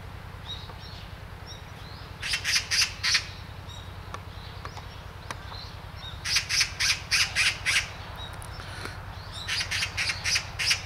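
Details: Great spotted woodpecker in Hanbam village, Daeyul-ri, Bugye, Gunwi, North Gyeongsang Province, Korea, giving three runs of loud, hard, clipped notes, several per second, separated by quieter gaps with faint background chirping.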